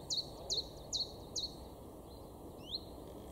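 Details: A great tit in a garden in Weener, East Frisia, northwest Germany, in April 2023 repeats a high two-note phrase four times, about twice a second, then gives a single rising note, over steady background hiss.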